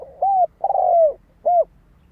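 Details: Spotted dove, a lure bird for catching wild doves, giving a clear low coo, a longer drawn-out coo that falls slightly at the end, then a short final coo, against a quiet background.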